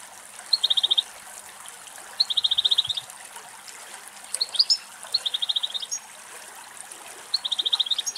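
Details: European goldfinch in the wild in Greece, content after finding abundant food, repeating a high, fast, even trill about every two seconds, interspersed with a few sharper twittered notes over a soft trickling background.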